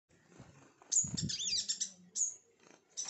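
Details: Sunbirds at a home giving sharp, very high thin calls: a bright piercing note, then a rapid twittering burst of swooping high notes and another piercing call, with low rustling and handling noise underneath.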